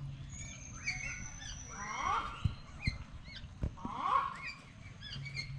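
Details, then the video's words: A wild duck in a zoo gives two loud, harsh, nasal calls about two seconds apart, with thin high chirps from other birds and a low background rumble. "Bird Sound in The Zoo | Wild Duck"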